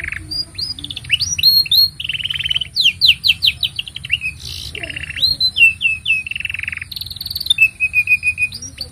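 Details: Continuous canary song meant as a tutor for young birds and to coax silent canaries into singing; varied phrases of quick falling whistles, flat buzzy trills and rolling rattles follow one another without pause, with a faint steady high hiss behind.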